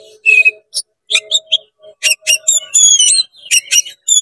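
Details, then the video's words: Oriental magpie-robin singing to stir up other magpie-robins: short sharp chips and clicks mixed with clear high whistles that become a run of pure sliding tones, alongside lower, softer notes. "CEPAT GACOR BUKA EKOR DONGKRAK EMOSI KACER KONSLET BIKIN KACER LAIN PANAS"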